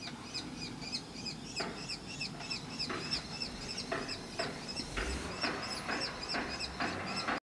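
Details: Common kestrel young being fed by their parents, heard from a workshop; a steady run of high, slurred call notes repeats about once a second, with a few broad rustling or flapping bursts and low background rumble.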